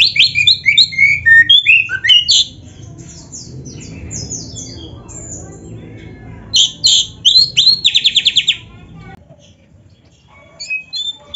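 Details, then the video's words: Oriental magpie-robin, a kacer recording for training songbirds, sings loud varied whistles and harsh rapid notes in bursts, then a quiet stretch with low rumbling background before another burst of fast repeated notes. "Suara Burung Kacer yang cocok untuk Latihan kicau"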